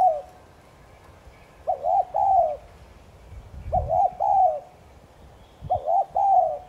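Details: A spotted dove coos to rouse other doves. Three phrases, each opening with two quick notes and closing with a longer warm coo, come at intervals of about two seconds over faint background hum.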